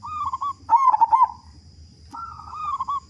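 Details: Local zebra dove, a strong-voiced singer used to prompt other doves to sing quickly: a loud burst of rapid cooing notes near the middle, between softer, wavering, slurred coos before and after it.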